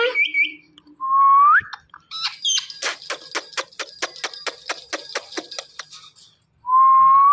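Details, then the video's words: Pet parrot, said to be calling "Mithu", gives short rising whistles, then a fast run of sharp clicks, then another rising whistle at the end. "Speaking Parrot Calling Mithu Mithu"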